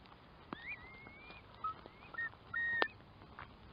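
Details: Curlew in open country, giving clear whistled notes, with one long rising whistle and several short level whistles, over a steady background hiss and a few clicks.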